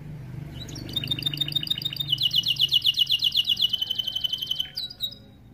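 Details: Starblue-coloured canary singing a tutor song meant to train young canaries; a rapid high rattle builds into loud pulsed trills, about four notes each second, ending with a brief upward whistle.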